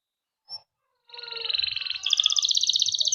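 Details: Domestic canary, used as a lure for young canaries, launching into a rapid rolling trill that rises in pitch and intensity after a brief quiet start.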